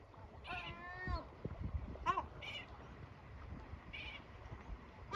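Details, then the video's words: Yellow-legged gull male, after feeding active chicks, repeatedly screeching until they take cover: a long wavering wail, then several short harsh cries scattered across the seconds over a steady background hiss. "familia unida de gaviotas. padre cabreado hasta que pollo rebelde se mete en habitacion"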